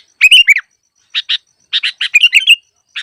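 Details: Trapping lure of a Sooty-headed bulbul, opening with a bubbly slurred whistle, then a few clipped chirps and a rolling warbled phrase, clear against silence.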